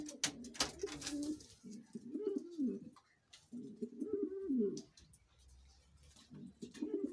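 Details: Indoor king pigeon giving repeated deep, rolling coos in phrases of about one to two seconds separated by short pauses, rising then falling, with scattered clicks and scuffling noises early on.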